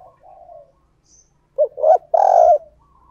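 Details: Spotted dove decoy cooing to draw wild doves near. Faint distant coos come first, then a loud, low phrase of a clipped note, a rising hoarse note and a long rolling coo.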